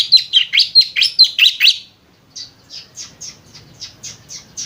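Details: White-rumped shama chattering like a lovebird: a fast burst of loud, high, squeaky twisting notes, then a softer series of sharp chips repeated about four times a second.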